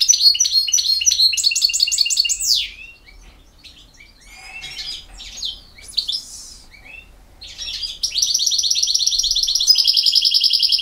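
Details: Field-type European goldfinch from Bosnia and Herzegovina singing fast tinkling trills and slurred notes, a quieter passage of scattered twitters, then a long sustained bright rattling trill.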